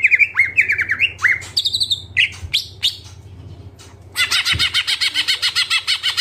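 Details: Greater green leafbird singing energetically in the full isian style: clear whistled phrases sliding up and down, brief sharp chirps, then a fast run of evenly repeated bright notes to the end. A low steady hum sits underneath.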